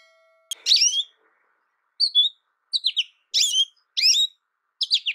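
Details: American goldfinch giving short, separate bursts of high, sweet twittering notes with pauses of about a second between phrases, after a faint low steady tone at the start.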